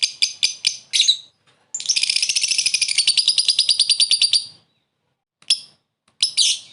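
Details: Lovebird calling to draw a rival: a few quick shrill chirps, then a long fast rattling chatter of harsh high notes, ending with scattered sharp chirps.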